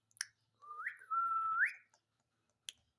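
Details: A pet Indian ringneck parakeet talking, saying "Mummy" in a clear, whistly two-syllable voice with rising inflections, framed by sharp clicks before and after.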